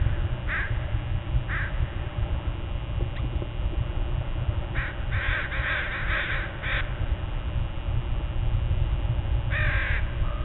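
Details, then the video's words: Crows of a flock at dawn call in scattered bursts: a few single caws, then a tight cluster of rough calls, and a last pair near the end, under heavy low rumble. "Dawn with a Murder of Crows"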